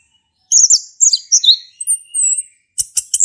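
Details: Orange-headed thrush male, singing as a prompt for a thrush that has stopped calling, opens after a pause with high tangled chirps and a long thin descending whistle, ending in sharp clicking notes.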